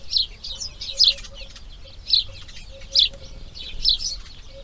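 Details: Grey heron chicks calling from their nest on the second day of breeding, giving clustered high, chattering chirps roughly once a second, with a soft intermittent low tone underneath.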